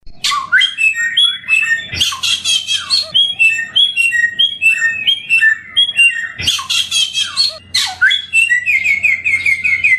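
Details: Endemic samyong bird, described as sweet-voiced, in a song-training recording. Its continuous, varied song of high chirps and whistled notes is broken by loud harsh bursts near two and six seconds, and it ends in a rapid repeated trill.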